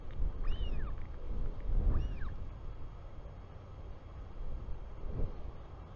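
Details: Royal albatross chick in New Zealand on 24 July 2020, 4:06 pm, as its father returns: two arched whistled cries in the first seconds, then only gusting wind noise.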